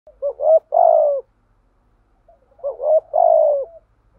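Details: Spotted dove giving a rhythmic coo used to stir decoy birds: two soft, low, hollow phrases, each a short lead note and a longer rolling coo, about two seconds apart.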